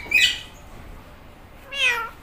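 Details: Green Indian ringneck parrot talking a cat-like meow: two separate nasal, harmonic meow-shaped calls, the second drawn out with a downward slide, with a quiet pause between them.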